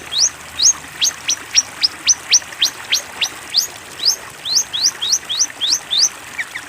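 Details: Long-tailed shrike master song, meant for young birds to learn: a series of sharp, rising whistled notes repeated about three times a second in a steady run, briefly pausing near the middle, ending with a couple of lower notes.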